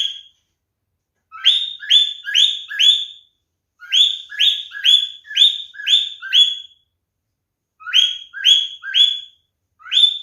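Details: A male cockatiel gives its mating sound in bursts of three to five quick upward-swooping calls, separated by short silences, over about ten seconds.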